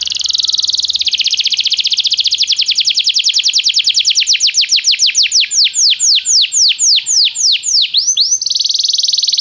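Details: Song of a Belgian canary meant to stimulate another canary to sing: a sustained, dense high trill that slowly loosens into distinct, slower downslurred notes before quickening into a smooth rolling trill again.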